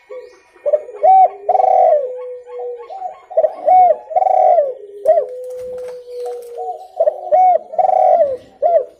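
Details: Spotted dove, clear recording for luring birds: loud, repeated cooing phrases, each a few hollow, rising-falling notes and a trailing low coo, running back to back across the clip.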